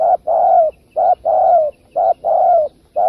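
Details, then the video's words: Loud, close spotted dove 'kích bổi' call meant for luring wild doves; deep hollow coos alternate short and long, the long notes sliding gently down, in a quick even rhythm near one pair per second. "Tiếng chim cu gáy kích bổi cực đỉnh"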